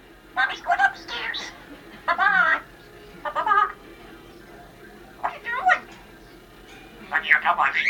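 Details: Female Congo African grey parrot kept as a pet, talking in a New Year greeting; four spaced phrases of mimicked words with wavering, warbled voice quality, a faint hum beneath.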